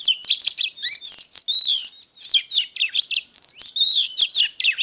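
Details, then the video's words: Oriental magpie-robin, a caged song bird, pours out dense high twittering with clear whistled slides and rapid chirps in bursts separated by short pauses. "Chòe than HÓT"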